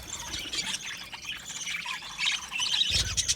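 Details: Budgies chirping in an aviary colony: soft, jumbled high warbles and squeaky chirps, rising to louder, brighter chattering in the last second.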